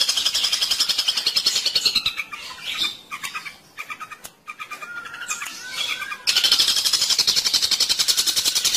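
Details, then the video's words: Long-tailed shrike lure for trapping: a fast, buzzy rattling chatter, then a quieter passage of scratchy notes and short whistles, and finally the rapid rattle again. "pikat burung cendet ampuh satu menit langsung dapat"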